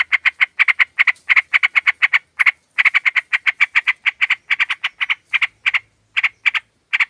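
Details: Sooty-headed bulbuls in a flock, used as a lure to draw birds and make quiet birds sing, with a female calling males: a long, dense, rapid series of loud, rasping chatter notes with brief pauses.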